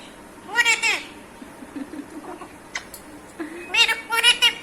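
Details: A pet Raw parrot (Alexandrine parakeet) talks in Hindi or Urdu, asking for a kiss with the phrase "Paari de do": a harmonic, voice-like phrase near the start, soft mumbled bits, then a louder burst of imitated words at the end, indoors.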